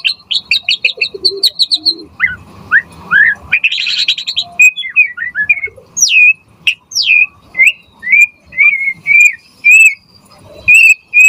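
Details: White-rumped shama (murai batu) singing vigorously, used to prompt other shamas to answer and to tutor their song: rapid repeated high whistled notes, then a burst of harsh buzzy sound, then slurred whistles repeated about every half second.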